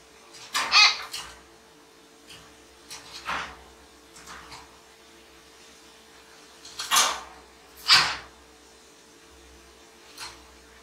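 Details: A pet common hill myna, indoors, gives harsh, raspy squawks in irregular single or paired bursts with quiet gaps, a somewhat quieter example of its natural voice, over a faint steady hum.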